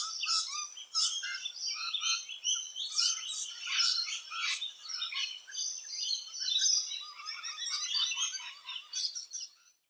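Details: Near their nesting holes in Australia, rainbow lorikeets keep up a dense, continuous chatter of rasping, squealing notes that overlap almost without pause, fading out at the end.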